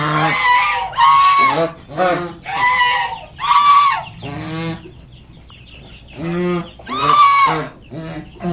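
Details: A mother swan guarding her five newly hatched cygnets gives loud, harsh, nasal honks in quick bursts about once a second, with a brief pause midway, to drive off an approaching person.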